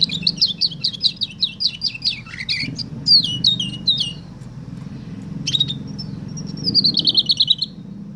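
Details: Canary singing a woodlark imitation, a loud high trill of rapidly repeated descending notes, then slurred whistles, a pause, and a closing fast rippling trill, with a low steady hum underneath.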